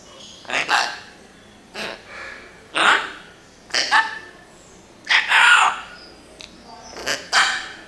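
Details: Pet parrot producing a run of short harsh, voice-like syllables in separate bursts, each broad and noisy with faint tonal bands, roughly one burst per second with quiet gaps between.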